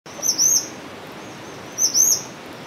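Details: Male grey-chinned minivet calling: thin, very high whistled notes given in short paired bursts, the phrase repeated after about one and a half seconds, over a steady background hiss.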